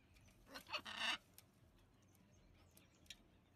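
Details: Wild blue-and-yellow macaws in a huge thirsty flock, coming daily to drink water and eat food left in a bowl; one loud harsh raspy squawk near the start, then faint scattered calls and low background rumble.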